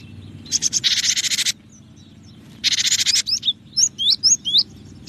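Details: Cinereous tit giving two dry, buzzy rattling scolds, each about a second long, followed by a few sharp upslurred whistled notes, over a steady low background hum.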